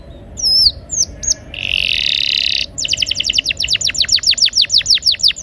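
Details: Rolling canary song aimed at getting silent canaries to sing: twisting whistles and a short buzzy burst lead into a fast train of sharp down-slurred notes repeated several times a second.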